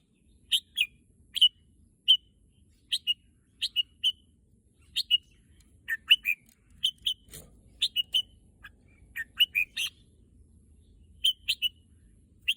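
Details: Red-whiskered bulbul singing, described as keen to visit the contest field: scattered pairs and short strings of sweet whistled notes, spaced irregularly over twelve seconds in a quiet setting.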